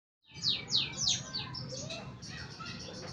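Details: Canary practising its song: a quick series of bright, falling whistled sweeps at about three per second, then a softer, continuous twittering warble. Low background hum throughout.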